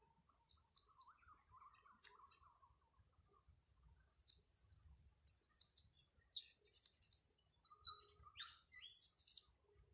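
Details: Blue-crowned hanging parrot during a luring session on grass: clusters of shrill, high, buzzy chirps repeated several times a second in three main bouts separated by quiet gaps, over a steady whining background tone.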